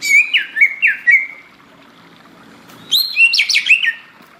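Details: Greater green leafbird singing vigorously in tropical forest, with a run of quick, slurred whistles falling then rising, a pause, then a busier phrase of sharp rising notes and twittering.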